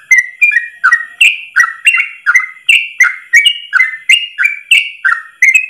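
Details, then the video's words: A yellow-vented bulbul, used as a training song for other bulbuls, gives a long, unbroken run of bubbly, slurred whistles in one breath, about three notes a second, jumping between higher and lower pitches. "Masteran trucukan terbaik ropel 1 nafas panjang"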